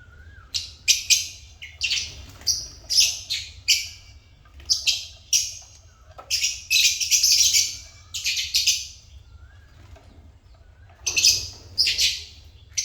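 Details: African lovebirds kept as pets chirping: harsh, shrill bursts repeated in uneven runs, several overlapping, with short pauses between groups and a low steady hum beneath.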